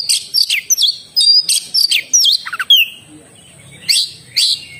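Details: Oriental magpie-robin in full song: rapid varied phrases of whistled, sweeping notes and sharp chirps, high-pitched and bursting in quick clusters with short pauses, a thin steady high whine in the background.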